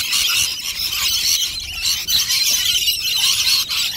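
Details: Shrill overlapping squeals from a crowd of rainbow lorikeets demolishing two dishes of nectar at lunchtime, a constant high chatter with a short lull near the middle.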